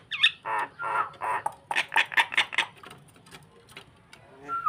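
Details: Nodding starling calling to lure another bird: a string of harsh, raspy squawks and chattering notes in quick bursts, then quieter scratchy sounds and a brief whistle at the end.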